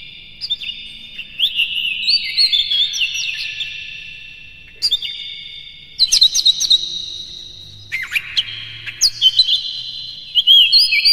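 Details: Oriental magpie-robin song recorded in the morning as a lure for captive birds: clear whistled notes and slurred phrases in four loud bursts, separated by short quieter gaps.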